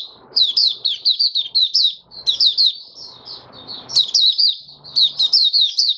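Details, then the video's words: Open song of a caged oriental white-eye five days after monthly deworming, January 2022; clusters of fast, high, sliding twitters repeated in bursts, with faint low rustling and hum beneath. "Mata Puteh Raja Video 1 buka sing"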